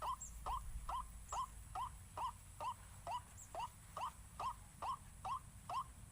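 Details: White-breasted waterhen lure playback said to panic the birds: regular chain of brief, upward-bending nasal calls roughly two per second, with occasional faint high-pitched chirps from other birds.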